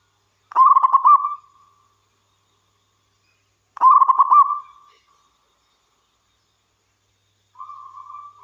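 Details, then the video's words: Local wild zebra dove singing actively: two loud rolling phrases of fast, warbled coos about three seconds apart, each tapering into a hum, then a softer level coo begins. Quiet background. "Suara Burung Perkutut Lokal Gacor"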